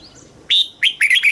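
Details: Red-whiskered bulbul in Thailand, southern master-phrase singing for stimulating caged birds and teaching young: a single loud phrase, a held whistled note followed by rapid rising-and-falling warbled notes.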